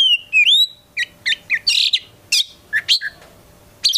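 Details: Captive Oriental magpie-robin, a prospective contest bird, gives looping whistled slides followed by short harsh bursts, buzzy chirps and brief sharp notes spaced by small gaps.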